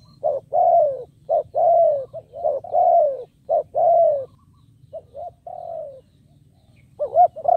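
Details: Decoy spotted dove urging on wild doves with repeated coos. Quick short notes alternate with drawn-out descending coos, which pause briefly before another wavering note; a low hum runs throughout.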